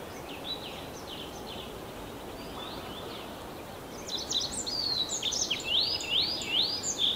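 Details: Tree pipit singing: faint, distant high notes at first, then from midway a louder run of repeated sharp rising whistles in quick succession, with a steady low hiss throughout.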